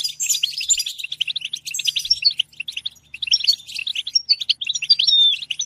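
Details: Goldfinch giving a fragmented twittering song of high chips and trills, loud at the start, then sparser phrases with a short clear descending whistle near the close.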